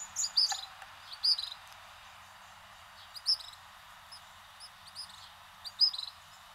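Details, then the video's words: A Northern red bishop, a bishop species introduced from Africa, gives short, high, thin chips and twitters in scattered bursts every second or so, with a faint low hum beneath. "OBISPO ANARANJADO (Orange Bishop, Euplectes franciscanus)"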